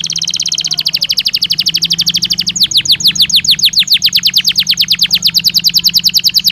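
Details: Belgian canary training stimulus for singing: a long, rapid trill of repeated notes, becoming louder and sharper midway into quick, downward-swept whistles, with a constant low hum underneath.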